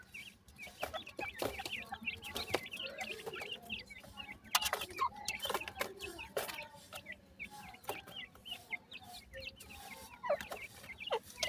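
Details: Grey francolin chicks giving many short, high, thin peeps, overlapping and rising or falling in quick succession, broken by sharp clicks and knocks from close handling or movement.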